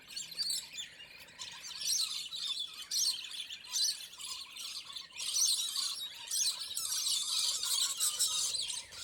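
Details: Scaly-breasted lorikeets squabbling in a territorial, aggressive fight, possibly over food, nesting hollows or breeding; dense, harsh, high-pitched screeches and chatter in overlapping bursts, swelling louder toward the end.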